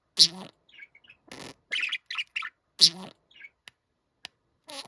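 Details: Budgerigar kept at home, said to mimic a middle-aged man and call itself 'kimoi'; sharp loud squeaks, soft twittering notes and buzzy syllables separated by short silences, a few faint clicks near the end.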